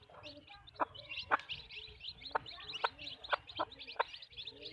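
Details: Backyard chicken farm hens clucking: short, sharp clucks repeated at uneven intervals of about half a second to a second, under a steady chorus of high, twittering small-bird chirps.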